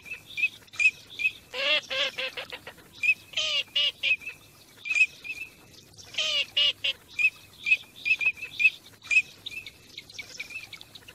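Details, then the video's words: Teal during migration, mixing clipped high whistles with two bursts of rapid, nasal, chattering calls that drop slightly in pitch, and whistling steadily between them. "teal call migration song"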